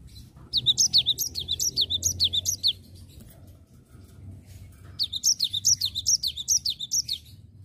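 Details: Cinereous tit, nggacor ngerol song: two rolling bursts of roughly ten high, sharp zigzag chirps each, rapid and evenly spaced, separated by a short pause over a low rumbling background.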